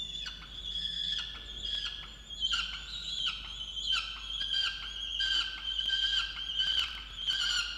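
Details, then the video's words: Angry female peregrine falcon in a water-tower nest box in Orange, New South Wales, Australia, scolding her mate for not bringing breakfast; continuous run of harsh, whining calls with rich harmonics, overlapping and repeated over eight seconds. "Indigo angry on Dimaond for not bringing breakfast"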